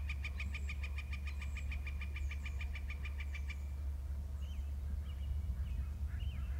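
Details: A male eagle gives a rapid, evenly pulsed trill for about three and a half seconds, then shifts to a few separate short upslurred chirps, at 14:07, with a persistent low hum behind.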